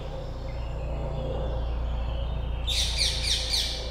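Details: A young European green woodpecker from 2020 bursts in after a quiet hum-filled stretch with a quick series of bright, descending, high notes repeated rapidly for just over a second.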